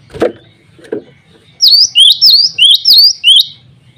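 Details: Two dull knocks come first. Then a male cinereous tit, calling rivals and females, delivers six rapid, ringing high notes in an even series.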